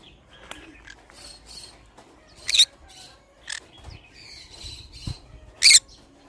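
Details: Pineapple green-cheeked conure kept as a pet, giving several short harsh screeches at irregular intervals, with softer chattering notes between them and a quiet room background.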